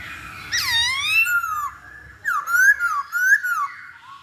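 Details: Lure of Masked laughingthrush song for provoking a bird to sing: a long swooping whistle dipping then rising, a pause, then two loud bouncing whistled phrases with bright overtones.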